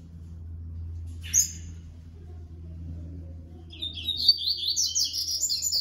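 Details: Paired with his female under 2022 breeding management, a male Yellow-bellied seedeater (Coleiro Baiano) gives one short sharp chip, then after a pause a lively two-second run of rapid high warbled notes with steady low background hum.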